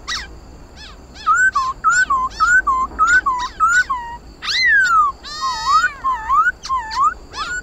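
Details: Fighting-style 'hót đấu' song of a khướu mun laughingthrush, played to make pet birds sing: a lively string of looping rising-and-dipping whistles interspersed with crisp high chips and a falling slur.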